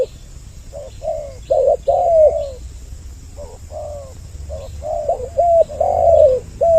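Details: Spotted doves on a lure track for attracting males and females: quieter coos at first building to louder, overlapping notes, with faint small-bird chirps and low rumble beneath.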